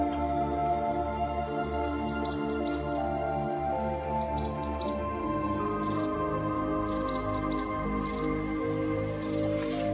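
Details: A Japanese tit (Parus minor) calling on mountain trails or in a park gives short clusters of high, thin notes, a burst every second or two, over steady soft background music.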